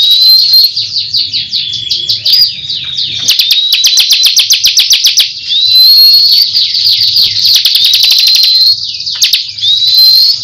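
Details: A Bar-winged Prinia (crystal prinia) in good song sings a high, shrill, nonstop song of rapid buzzy trills and stuttering bursts broken by thin rising whistles, with faint low rumble behind.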